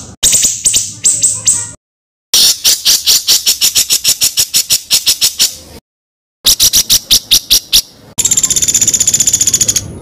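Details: Master recording of a songbird's harsh rolling song for training contest birds: coarse, dry rattling note series broken by silent cuts, ending in a high continuous buzzy trill.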